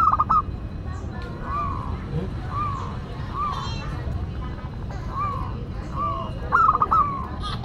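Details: Local zebra dove cooing: soft, separate rounded notes roughly once a second, framed by brighter trilled bursts at the start and near the end, over a low rumbling background.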